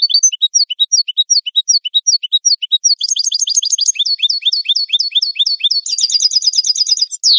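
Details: Captive-training recording of European goldfinch song, a rapid unbroken stream of high liquid twitters and chirps, shifting into buzzy rolled trills and ending on a quick descending note.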